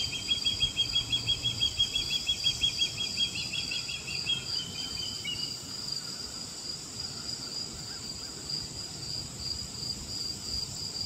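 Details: Juvenile ospreys, male and female, calling for a fish delivery at St. Patrick's County Park on August 16, 2024 in the afternoon. A rapid series of high, thin whistled chirps runs for about five seconds, then fades under a steady insect chorus.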